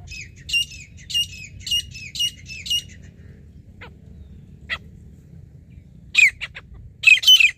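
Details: Grey francolin (teetar) in a hunting setting, giving five quick, harsh, high squawks in a row, then a pause with a few scattered short notes before another burst of scratchy calls near the end.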